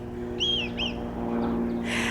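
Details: Red kites over a garden calling to each other: two high, thin whistled mews, the first drawn out and the second brief, over a steady low hum and a rush of noise at the end.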